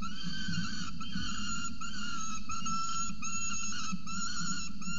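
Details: Adult peregrine falcon feeding a chick at a nest in Orange, Australia, 26 November 2020, 8:07 am, nest camera: unbroken run of wavering, whistled wailing calls lasting throughout, with faint hiss and low background rumble.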